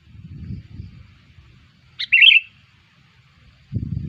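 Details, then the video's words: Sooty-headed bulbul calling as a lure for bulbuls: one quick, chirpy, bubbling phrase in the middle, with low thumping and rustling noise before and after. "SUARA PIKAT KUTILANG"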